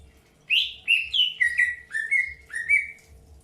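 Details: Greater green leafbird, early pairing stage; a sequence of about seven bright whistled notes, each dropping in pitch, given in quick uneven succession with faint low background rumble.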